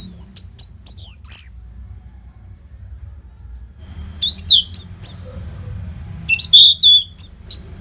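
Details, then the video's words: Orange-headed thrush in full continuous song, used for training fighter birds: rapid series of high, sharp whistled notes, a pause of about two seconds, then more clustered chirping phrases, some dipping lower, over a soft background hum. "SUARA MASTERAN ANIS MERAH GACOR RAPET NO JEDA"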